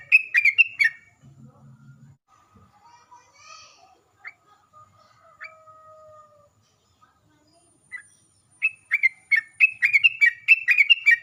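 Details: Sooty-headed bulbul song played as a lure to make bulbuls answer, in gacor, ropel and nggaruda styles: a brief chirpy burst, several seconds of faint tones and quiet, then a dense rapid stream of bubbly whistled notes.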